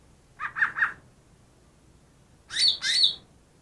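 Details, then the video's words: Greater green leafbird, reported to mimic ten bird species, gives three short mid-pitched chirps, then after a gap two louder, higher slurred notes. "burung cucak ijo yang bisa meniru 10 suara burung lain"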